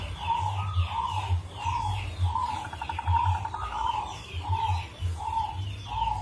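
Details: A local zebra dove (perkutut) of Indonesia sings a rare rhythm prized for its unique phrasing, used as a lure song. Steady mellow coos repeat in even succession, broken by a rapid rattling trill midway, over soft high chirping from other birds.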